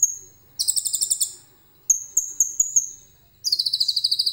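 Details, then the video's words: Phone recording of a common iora whose song is filled with cililin phrases: a buzzy chattering trill, a pause, a few clear high whistles, then another rapid buzzy trill to close. "KONIN GACOR FULL ISIAN CILILIN JERNIH"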